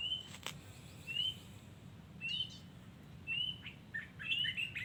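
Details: Wild Yellow-vented Bulbul giving short, clear, rising whistled notes about once a second, ending in a quicker cluster of chirps, with low background rumble.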